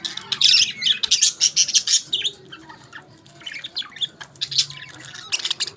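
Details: Budgies eating a favourite food squawk loudly in harsh, fast bursts at the start. Softer, rapid chirps and twittering follow, with a brief flutter of wings.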